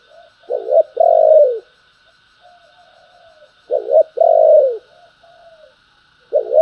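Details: Spotted dove cooing in the urging and calling styles known locally as gáy thúc and gáy gọi. Two phrases, each a short broken double coo followed by a long, drawn-out, falling coo, over a faint steady high whine.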